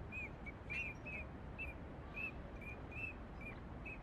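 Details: Wintering Eurasian teal on the Kamo River, one lively bird pestering the others. High, flute-like whistled peeps come in a quick, uneven series, about ten short notes in four seconds, over a steady low rumble of water and background noise.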